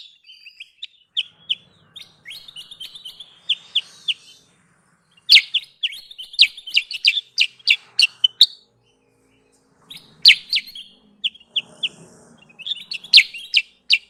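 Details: Kutilang sutra, the sooty-headed bulbul, lure song for trapping: quieter bursts of high twittering chirps separated by pauses, over a faint low rumble in the background.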